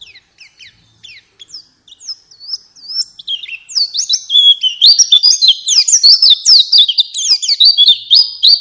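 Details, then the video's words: A white-eye sings, recorded as a lure to make kept birds sing. Scattered thin high notes build into a fast, continuous stream of sweet, sliding twitters that grows louder and denser. "Pancingan Burung Pleci Agar Ngalas Dan Buka Paruh"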